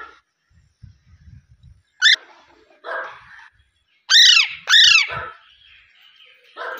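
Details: Green parrot calling: a harsh, arched screech, then two loud, rasping squawks close together about four seconds in, with fainter calls between and after, and low thumps in the background.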